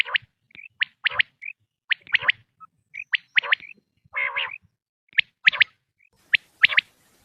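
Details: Quail calls from a hunting recording: sharp clipped notes in quick pairs and triplets, several short whistles, and one harsher harmonic burst midway, repeated irregularly about every half second.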